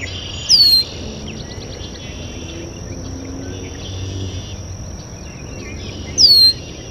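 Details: Red-winged blackbird at a water basin gives two sharp, high descending whistles about six seconds apart. Softer buzzy trills from other birds and a steady insect-like hiss fill the gap.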